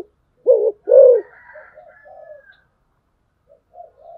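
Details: Spotted dove used as a decoy delivers one loud pair of deep coos, then quieter soft fluting notes and a faint high drawn-out tone trailing into near silence.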